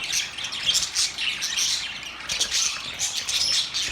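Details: Budgies singing, a lively stream of harsh chirps, twitters and small whistled squeaks, dense and continuous.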